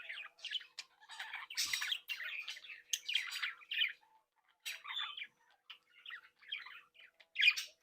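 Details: Budgerigars in a captive breeding flock, chicks leaving the nest, happily chattering, tweeting and singing: dense bursts of scratchy, warbling chirps and squawks in quick irregular runs, with brief silent gaps.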